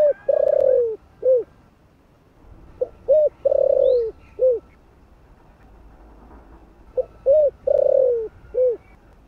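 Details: Repeated phrases from a spotted dove whose voice is of the thổ type, used to attract wild doves: three low four-part coo sequences, each with a long quavering downward note, separated by short pauses.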